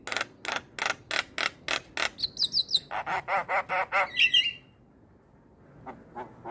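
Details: Starling lure song meant to prompt silent or wild starlings to reply: a run of about fifteen evenly spaced harsh, buzzy notes, then high whistled flourishes, ending in near silence.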